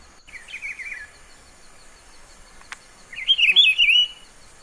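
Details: A rufous-browed peppershrike in Pernambuco, Brazil, a bird that hides in vegetation and sings all day, gives two rich, warbled phrases about three seconds apart, the first soft and the second loud and rolling, over faint background hiss.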